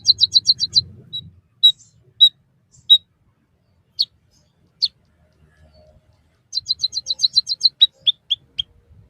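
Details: Captive-training recording of a white-headed munia: short bursts of rapid, high, tinny chirps separated by scattered single high notes and long quiet gaps.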